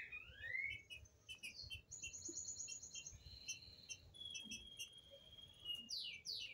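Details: Green-winged saltator song meant for teaching young birds: clear whistled phrases of rising and falling slurs mixed with steady high held tones, quiet overall, over a faint low background rumble.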